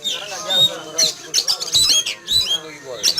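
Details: Oriental magpie-robin in a cage in a yard in the morning, alarmed by a flying eagle: harsh squawking notes and shrill whistles in quick, irregular bursts, with a person speaking.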